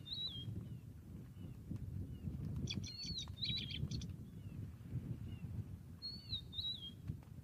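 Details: Rufous-naped lark call recorded 30 January 2023: sliding, descending whistles repeated at the start and end, with a burst of rapid chattering notes from another bird midway and constant low rumble.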